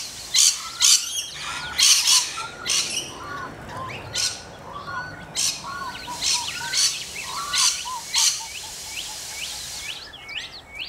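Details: Rainbow lorikeets in Australia: loud, harsh, grating screeches in short bursts about every half second to second, overlapping as from several birds, with softer arched chirps below and a few quick upswept whistles near the end.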